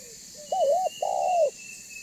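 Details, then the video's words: Spotted dove, banggo type, calling to make other doves respond and draw near: a wavering mid-pitched coo followed by a longer, fuller coo that slowly sags, with a thin steady high whine behind. "Suara Burung Tekukur BANGGO Gacor Membuat Terkukur Lain Auto BUNYI Dan MENDEKAT !!!"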